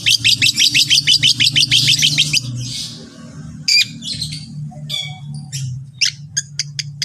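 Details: Long-tailed shrike training song meant to get other shrikes calling. Rapid harsh notes repeated about three times a second come first, then scattered chattering and buzzy high notes, with a low hum underneath.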